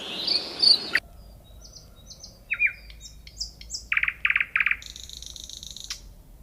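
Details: Nightingale song after a brief burst of rustling noise: thin high whistles, a slurred downward note, then three loud, repeated chirps and a fast, high, buzzy trill to finish.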